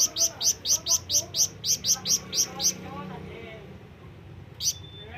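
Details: A scarlet minivet (flamboyan) calls out to companions or rivals with ten evenly spaced, shrill chirps. Near silence follows, then one last chirp, over a soft low rumble.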